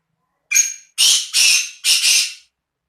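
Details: Black francolin call: one short harsh note followed by two pairs of longer, loud, grating rasps, five notes in about two seconds, against a silent background.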